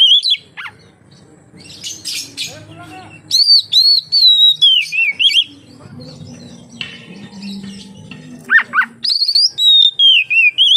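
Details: Oriental magpie-robin song meant to lure other magpie-robins into singing, with rapid rhythmic bursts of clear whistles and warbles, twin downward-swept chirps, and a quieter middle with faint low background noise.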